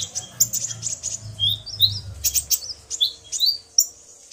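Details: Male common iora excited by a female's call, the two answering each other; rapid high chirps and upward-flicking whistles over a low rumbling background.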